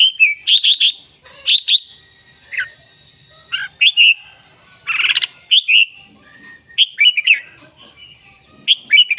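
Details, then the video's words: Red-whiskered bulbul calling and singing a lot: sharp chirps and clear whistled phrases come in quick clusters, including one buzzy rasping note mid-way, with short silent gaps between bursts. "Noog diab kaum lauj quaj thiab seej heev"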